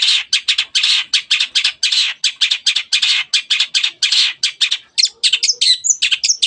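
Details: Long-tailed shrike, the cendet, singing loudly to set quiet birds singing: a long, rapid chatter of harsh, scratchy notes, several per second, giving way to a few thin, sweeping whistles at the end.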